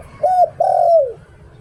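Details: Spotted dove kept as a decoy bird, singing the Thai 'liu tan' song style: a short clear coo followed by a longer, smooth hooting note that slides downward at the end. Low hum in the background.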